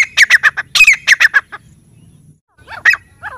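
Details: Grey francolin in the jungle: a short burst of harsh, clucking squawks in quick succession, a brief quiet gap, then a couple of fainter scratchy notes.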